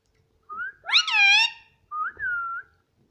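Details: Pet Indian ringneck parrot indoors, said to talk nonstop and say "mummy": a short rising note, then a loud, rich, wavering two-part vocalization, then a clear level whistle with a small upward flick.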